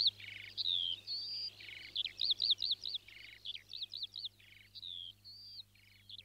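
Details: A Northern lapwing (Vanellus vanellus), a species nesting in fields and wet meadows in the Czech Republic, gives a run of wheezy, slurred calls that rise and fall, repeated several times a second over a faint steady hum.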